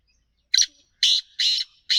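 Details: Harsh rasping call of a free-roaming black francolin: a short clipped note followed by three longer grating notes in quick succession, dry and buzzy, with a quiet background.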